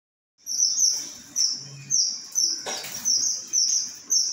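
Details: Strawberry finches give high, thin, sweet twittering phrases, bright short bursts starting roughly every half second to second, with one brief broad rustling noise partway through and otherwise quiet surroundings.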